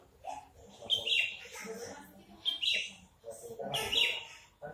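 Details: Horsfield's bush lark, a caged crested bird, sings three loud buzzy high phrases spaced about a second and a half apart, each followed by trailing lower twitters.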